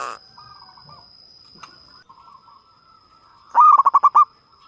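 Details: Local-type zebra dove with a big voice, singing as a lure to prompt other doves to sing: faint trilled coos, then a loud burst of six rapid stuttering coos, over a steady high electrical whine.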